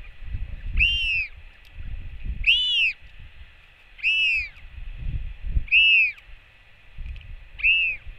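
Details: A Royal albatross chick welcomes its mother back to the nest with a skycall, filmed by nest camera on 8 June 2024: five rising-then-falling whistled notes roughly every 1.7 seconds, each with bright overtones, amid low wind rumble.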